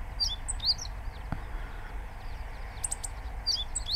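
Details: A meadow bunting, subspecies Emberiza cioides ciopsis, at Inba-numa Lake, Chiba Prefecture, Japan, gives short, sharp, high chips in small clusters, about three bursts in four seconds, over a steady low rumble.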